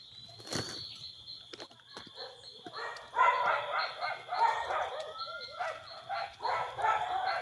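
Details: Brazilian teal in Brazil uttering rapid, rasping, quacking calls in a rhythmic series, with a sharp click near the start and a steady high insect drone throughout.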